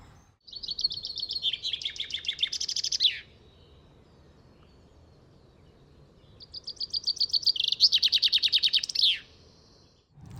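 Chaffinch song, given twice: each phrase is a rattling run of quick repeated notes that speeds up and drops in pitch, then ends in a brief flourish.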